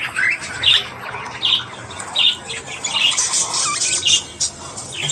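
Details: Budgerigars, Australian budgies, in the morning: loud, harsh squawks and short chirps repeated roughly every second over a steady high twittering chatter.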